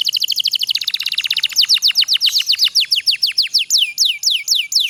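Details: Canary song played to prompt lazy canaries to sing: a fast buzzy trill of rapid notes that slows into a string of clear, downward-sweeping whistled notes, about four per second.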